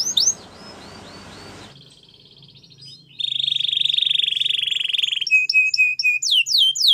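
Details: Song of a canary played for training canaries: opening downward whistled slurs, a soft rattling section, then a loud, even, buzzing trill lasting about two seconds, followed by short clipped notes and rapid falling sweeps.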